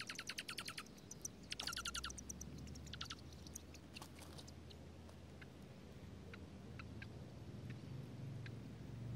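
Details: Dark-eyed junco parents with newborn nestlings at a nest tucked in a strawberry patch in Washington State, in pouring rain; bursts of rapid, buzzy pulsed notes in the first two seconds, then scattered thin chips over steady rain noise.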